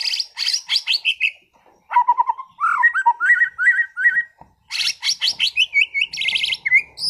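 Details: White-rumped shama, a caged competition-class bird from Sragen, singing vigorously and unloading its repertoire: quick bursts of rattling high chips, a run of short whistled notes in the middle, then dense chattering phrases with upslurred whistles.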